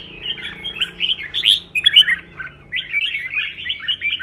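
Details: Red-whiskered bulbul being trained for singing contests, fighting-style song: dense run of bright, warbled whistled phrases with rising and falling notes, a short pause near the middle, then more quick chattering phrases.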